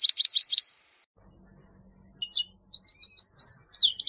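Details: A grey-headed goldfinch twitters in quick repeated notes, goes quiet for about a second and a half with a faint low hum behind, then resumes a rapid tinkling, chirping run.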